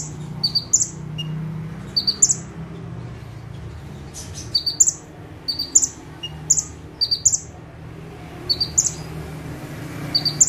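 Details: Bar-winged prinia in energetic burst song from one perch. Repeated high phrases of quick thin notes each end in a piercing rising whistle, coming roughly every second over a low hum.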